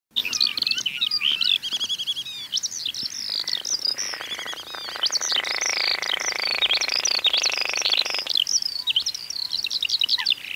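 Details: A rare Baillon's crake in summer in the Zuidlaardermeer area, Netherlands, where several pairs bred, gives a dry, frog-like rattling creak for about five seconds, under busy high chirping and warbling from other songbirds.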